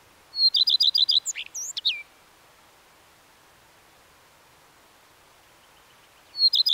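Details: Common redstart singing a high opening note and a rapid chain of falling chirps ending in squeaky varied notes. A long pause follows before the next phrase begins.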